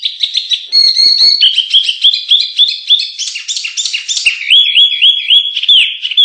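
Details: Canary song for training contest birds: rapid chirped trills and buzzy rattles, ending in a smooth wavering rolled whistle repeated in even loops.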